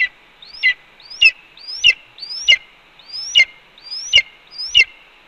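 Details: Red-tailed hawk vocalizing at its Cornell nest while the mate, having brought two voles, eats a pigeon. Eight rising whistles, each ending in a harsh grating burst, are repeated steadily about every 0.6 seconds.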